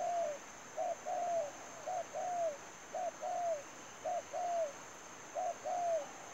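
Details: Decoy spotted dove in a trapping setup cooing steadily, paired notes of a short coo then a longer downslurred one, repeated about once a second in a regular rhythm, over a thin continuous high whine.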